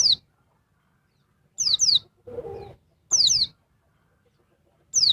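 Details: Noisy female oriental white-eye agitating a male: thin, high whistled notes sliding steeply downward, given singly or in quick pairs in three bursts about 1.5 seconds apart, with a short rough murmur between them.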